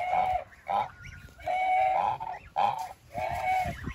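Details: Goose calling with a series of long, level, nasal honks, roughly one every second or so, each a steady drawn-out tone with brief pauses.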